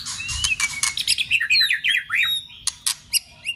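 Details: Contest-trained shama starts with dense high clicking bursts, then gives a quick run of bright, falling whistled notes, followed by a few separated clicks and a short final whistle.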